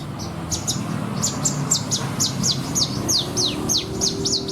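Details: Javan bushlark kept in a cage for song contests, its song loaded with mimicked 'isian' material: a steady train of sharp, high, down-sweeping chips repeated about three times a second over soft low background noise.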